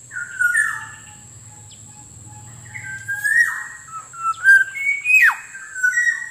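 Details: Black-naped oriole whistles used as a lure for wild birds and to get sluggish caged birds singing: clear mid-pitched fluty notes, upward slides and one steep dropping swoop, over a steady thin high tone.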